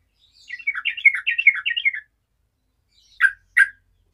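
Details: Yellow-vented bulbul song aimed at challenging rival birds: one chattering phrase of fast, tumbling liquid notes lasting over a second, followed after a pause by two short, sharp separate notes.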